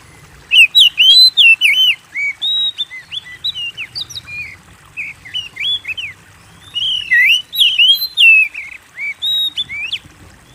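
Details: Vigorous song from an Oriental magpie-robin, used to coax song from birds in cages: two long bouts of rich, varied whistles, upslurs and downslurs mixed with high chips, separated by a brief soft lull.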